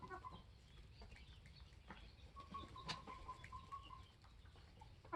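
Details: A flock of 21-week-old Polish layer hens with their protective rooster. A wing flap and scattered clicks lead into a run of short level whistled peeps in the middle, with faint clucks and low rumble throughout.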